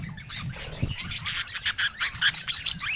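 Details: Pet budgies chatter, ending in a run of loud, sharp chirps repeated about twice a second over softer scratchy warbling, with a brief low thump near the start.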